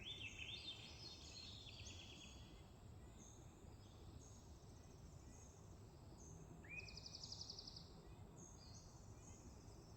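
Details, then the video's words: A Swainson's thrush gives a fluty phrase spiraling upward at the start, with other birds' buzzy trills and chirps behind a steady low rumble of wind or traffic. "Favorite birdsong - Swainson's thrush"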